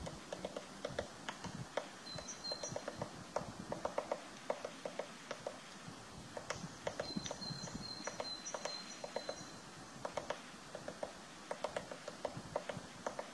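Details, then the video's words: Eurasian three-toed woodpecker making its nest: dull, irregular taps and knocks of chiselling wood, some in quick clusters, over a soft hiss of background, with faint thin whistled bird notes in the distance. "Eurasian three-toed woodpecker making nest"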